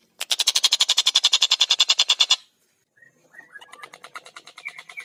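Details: Tengkek buto in fast song; a long burst of rapid, sharp repeated notes, then quieter softer stuttering notes with a few faint whistled slurs.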